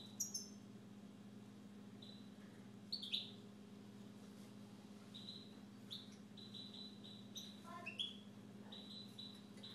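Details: Pet Siberian goldfinch singing indoors: sparse, thin high chirps and short whistled notes with pauses between phrases, over a constant low electrical hum.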